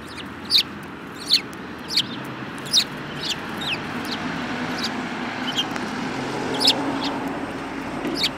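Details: Sparrows, one of them yellow-beaked, recorded 24 February 2018. High chirps repeat roughly every second at first, then grow fainter as a broad, rising rumble of background noise fills the second half.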